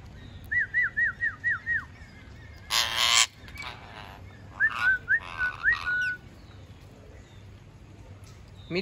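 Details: Talking parrot giving a run of five quick whistled notes, each rising then dropping. A loud, harsh burst follows, then a second looser series of rising whistles, over low background hum.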